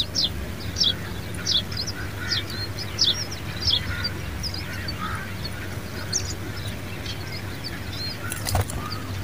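A pied bushchat gives short, sharp chipping notes, roughly one or two a second, over a steady low rumble.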